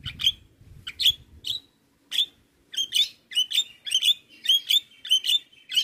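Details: Black-winged myna giving harsh, high chirping notes repeated about twice a second, rather irregular at first and steadier later, with a faint low rumble at the beginning.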